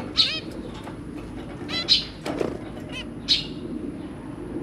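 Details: Caged zebra finch pair with their three young: sparse nasal honking calls with stacked harmonics, roughly three in under five seconds, with fluttering wings and soft background rustle.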